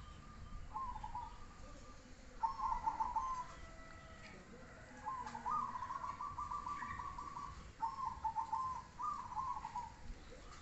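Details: Zebra dove singing: a series of soft, bubbling, trilled coos, some drawn out into longer rolling phrases, over quiet low background noise and faint distant chirps.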